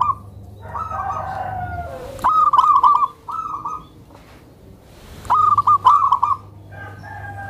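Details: Zebra dove, tame and soft-voiced, calling to entice other zebra doves and help train newcomers; faint murmured notes, then two loud bursts of rapid staccato cooing about three seconds apart.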